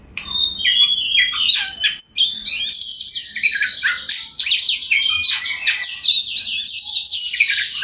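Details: Caged white-rumped shama in full, energetic song meant to provoke rival birds into singing: a continuous stream of varied, rich whistles and harsh mimicked chatters packed tightly together, with no other sounds.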